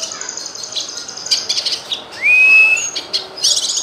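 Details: Cucak kinoy bulbul song used as master recording to add variety for songbirds: a run of high, sharp chips and trills, then a clear slurred whistle rising and levelling off, followed by more bright chirps.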